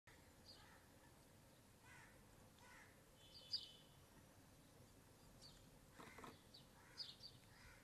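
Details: House sparrow recorded from a bedroom window: short, scattered chirps rising in pitch, some doubled, spread irregularly across several seconds over a steady hiss of background noise, with a brief louder broadband burst near the end.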